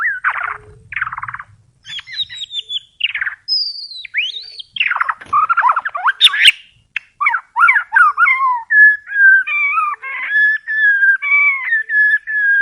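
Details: White-rumped shama song: early rough chattering bursts, then varied warbled phrases and high sweeping notes, ending with a run of clear repeated whistled notes.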